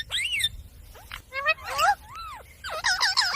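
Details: Green parrot kept as a pet making a quick sequence of arched harmonic syllables and looping squeaky notes, varied and speech-like.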